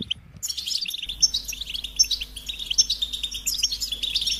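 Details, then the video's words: Goldfinch singing: after a brief quiet start, a fast, continuous stream of high, tinkling twitters and short chirps runs without pause to the end, with a faint low hum underneath. "Experience the Goldfinch Singing"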